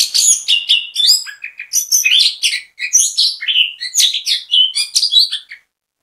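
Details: Lively orange-headed thrush song used as a bait recording to get other birds of its kind singing: rapid run of varied whistles, chirps and trills, high and bright, delivered in a continuous stream without pauses.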